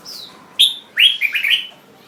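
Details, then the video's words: Jambul bird singing: a high thin falling whistle, then a sharp bright note and a quick run of warbled, slurred phrases, with a faint steady hiss behind. "Jambul Bird Singing"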